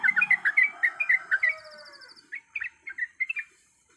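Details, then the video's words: Female yellow-vented bulbul in breeding condition calls males with a short burst of rapid, sliding chirps. After a brief lull, a few spaced, softer notes follow. "Suara Alam Trucuk Gacor"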